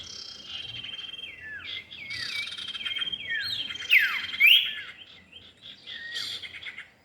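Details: Common iora, male and female, in a lure recording: dense overlapping high chirps and short downslurred whistles, some looping notes repeated about twice a second, with a sharp rising note near the middle over a steady faint hiss.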